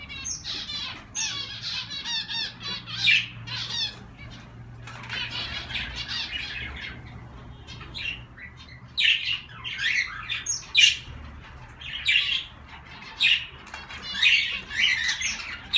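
A mixed group of cage birds chattering together with bright chirps, squawks and busy warbling.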